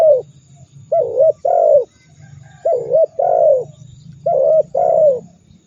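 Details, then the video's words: Spotted dove masteran to stir rival birds into calling: three evenly spaced phrases, each a short wavering coo linked to a longer, richer falling coo, over a faint low hum. "Masteran burung tekukur super dahsyat membuat lawan ikut gacor mendengkur ngamuk"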